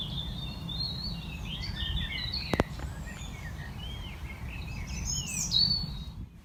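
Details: Common Nightingale singing in darkness beneath a tree platform at a rewilded West Sussex farm in May: a continuous stream of varied high warbles, slurs and chirps, one brief knock, steady low background rumble, ending abruptly.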